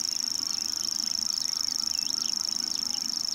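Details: Continuous high, buzzy reeling of a common grasshopper warbler, even and unwavering, with scattered whistled and squeaky calls from other birds beneath it.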